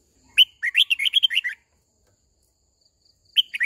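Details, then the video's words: Red-whiskered bulbul used as a decoy, singing to call the flock and coach young birds; a rapid string of about ten chattering, warbled notes, a pause, then the start of another phrase. "Tiếng chim chào mào mồi hót gọi bầy đàn, hót luyện giọng cho chim bổi"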